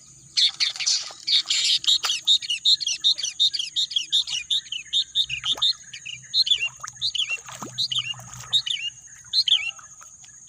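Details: Lively birdsong in lush green natural surroundings: a fast, continuous series of high chirping notes, dense at first and then spaced about twice per second, over a steady high hum and faint low rumble.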